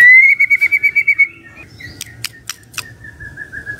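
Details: Magpie-robin morning song to coax a silent bird to respond: a fast string of about ten bright whistled notes, then scattered sharp clicks and a soft, sustained lower whistle.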